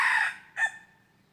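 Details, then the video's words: Tail of a red junglefowl crow recorded while decoy-trapping wild junglefowl on 23 January 2022: a fading harsh note followed by a short clipped final syllable, then quiet. "ต่อไก่ป่า Dib qaib qus tuaj zoo heev"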